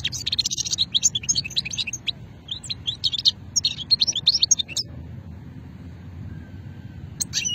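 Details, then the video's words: Goldfinch singing an old-strain style, Hammam Guergour in Sétif, 2020: dense fast twittering and buzzy trills for about five seconds, then quiet with a final short burst, low hum throughout. "مقنين شتلة قديمة"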